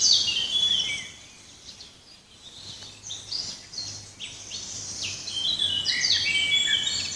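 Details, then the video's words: Several forest birds in full chorus: overlapping high-pitched whistles, rapid trills and chirps, loud at the start, dipping briefly, then swelling again, over a faint low hum. "Sounds of the forest - birds"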